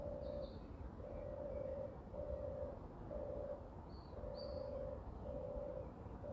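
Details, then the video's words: A European turtle dove (Streptopelia turtur) walking on the ground at 6:34 am on 29 May 2023 gives its deep, rolling purr, about once a second, with faint high chirps from other birds and a low rumble. "תור מצוי הולך על האדמה וברקע קול התור Streptopelia turtur and sound of it"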